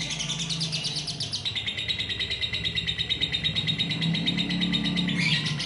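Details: Female lovebird giving the long, unbroken chattering trill called ngekek panjang: a fast, dense stream of buzzy high notes that repeats about three times a second, with a short shift in tone midway and a low hum underneath.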